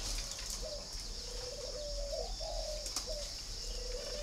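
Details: Captive spotted dove of a red-billed, yellow-legged variety at a dove-keeping garden in Ba Vì, northern Vietnam, giving low, soft, hollow coos in a run of short notes with a longer drawn middle phrase, over steady background hiss.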